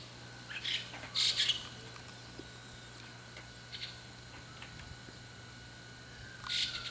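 A young White-cheeked starling gives harsh, scratchy high calls in short bursts, a few seconds apart, over a steady low mechanical hum.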